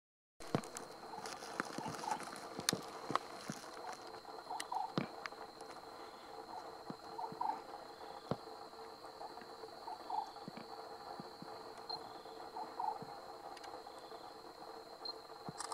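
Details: At night in dry deciduous forest at Tmatboey, Kulen Promtep Wildlife Sanctuary, Cambodia, an Oriental Scops Owl gives a short, mid-pitched croaking phrase about every two and a half seconds, over a steady high insect whine and low hum.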